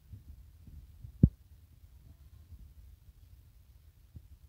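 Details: A near-silent indoor room with low hum and soft thumps, broken by one sharp click early on and a faint tap near the end.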